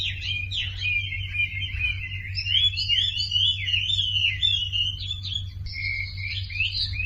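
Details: Continuous, warbling Sumatran leafbird song intended to coax silent birds into singing, with sweet whistles gliding up and down and a few sharp upward flicks, backed by a low electrical hum.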